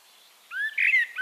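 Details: Brief fragment of Eurasian blackbird song from Castricum, the Netherlands: a smooth rising whistle followed by a louder, fuller fluted note.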